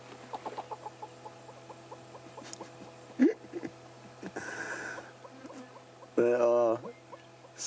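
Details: Hornbills with bright pink pouches below the beak sit displaying in a silver cluster-leaf tree in morning sunshine. They give a quick series of clucking, hollow notes, about three a second, seemingly chatting to one another, followed by a presenter's voice and laughter.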